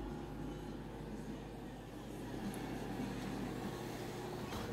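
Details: Steady rumble of a passing vehicle with faint muffled voices underneath.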